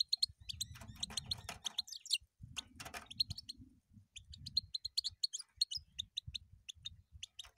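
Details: European goldfinch singing a lively, rapid run of liquid twittering notes and buzzy trills, phrases broken by short pauses, over a soft low background rumble.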